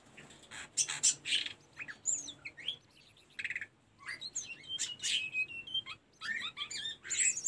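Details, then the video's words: Tledekan gunung singing, a recording used for training caged birds: rapid mix of sharp high chips, buzzy notes and quick whistled slurs in varied bursts. "Mp3 burung telendekan masteran tledekan gunung"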